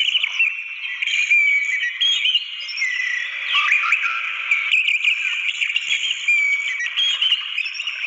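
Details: Orange-headed thrush singing in the wild, used to prompt a silent bird to sing: a dense, continuous stream of varied whistles, trills and mimicked phrases with no pauses.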